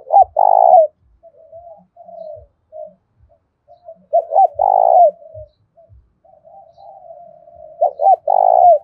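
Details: Lure spotted dove giving a thổ pha style fighting call. Three full phrases, each two quick hooked notes and a long, rich, falling coo, separated by soft wavering murmurs. Faint low knocks are also audible.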